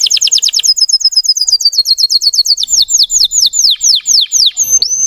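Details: Canary of the Russian type singing to excite untrained birds: rapid high chattering trill that slows into distinct, sweeping downward-slurred notes, ending with a short level whistle.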